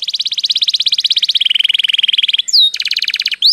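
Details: A canary sings rapid trills of bright, high notes, about fifteen per second, dropping to a lower trill, then a quick upslurred whistle and another fast, buzzy roll.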